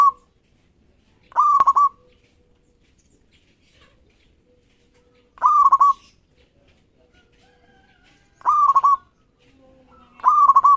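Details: Local zebra dove, singing often and responding quickly, used to draw rivals into song: brief bursts of fast, clipped coos spaced a few seconds apart, with near silence between them.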